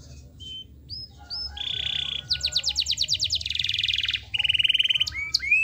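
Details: Canary in full song, used to prompt lazy canaries into singing: short whistled upslurs, then a steady buzzy note, a fast sweeping trill of about twelve notes, a dense rattling roll and a final rising whistle.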